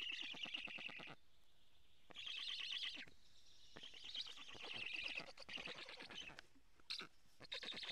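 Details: Black stork nestlings begging for food at a nest in Karula, Estonia, on 2 July 2017 at 10:58, filmed by a live nest camera while a strange stork flies around; bursts of rapid, raspy, pulsed calls lasting one to two seconds, separated by brief pauses.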